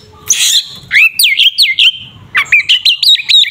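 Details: Kacer, Oriental magpie-robin, fighting song to provoke a rival: a harsh rasp, then quick looping whistled notes, a pause, and a fast series of bright repeated chirps.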